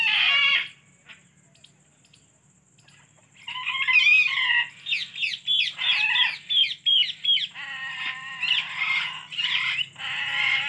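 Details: Pet Alexandrine parakeet: an opening harsh squawk, a quiet pause, then a rapid series of short rasping chatter notes about three per second, ending in longer grating squawks; low steady hum beneath.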